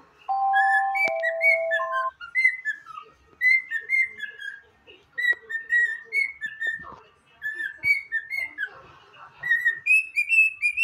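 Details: A pet cockatiel whistles an anthem in clear, pure notes, with phrases rising and falling around a steady pitch and a brief flat tone from another source near the start.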